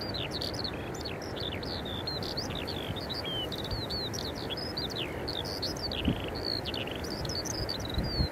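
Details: Eurasian skylark singing at Eyemouth, 30 May 2024, captured with a Canon EOS 90D: unbroken fast twittering of varied high slurred notes and short trills over a steady low background rumble.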